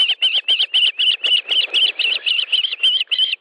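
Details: Osprey at a nest in Estonia on 18 July 2013 at 10:30, during a fish delivery: a fast, steady run of shrill, whistled chirps, about four per second, each with a slight up-and-down inflection, continuing without pause.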